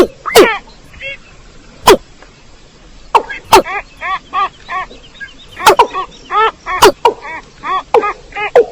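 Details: Watercock calls from a trapping lure recording for rice-field birds: loud sharp downward-sweeping notes alternate with bursts of hollow, repeated, harmonic notes strung in quick series, the pattern recurring several times against a quiet background.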